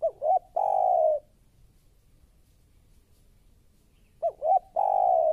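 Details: Close spotted dove lure bird for trapping, repeating a phrase of two short bouncing notes and a drawn-out flat coo, the phrase given twice about three seconds apart.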